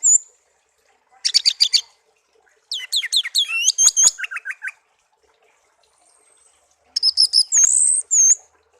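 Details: Songbird kept as a tame pet for a year, raised from young after being taken from a garden: chattering trills, a run of downslurred notes stepping lower, then a rapid high warbling phrase.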